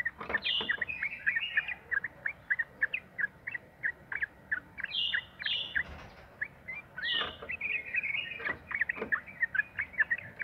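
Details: Yellow-vented bulbul (trucukan) in long 'ropel' lure song to prompt other birds to sing: rapid repeated chirps in bursts, each burst opened by a high, falling whistled phrase.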